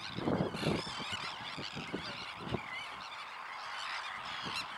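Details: Arched, grating calls of several Sandwich terns, quieter and more spaced than a full chorus, with loud low rumbling bursts at the start and scattered clicks.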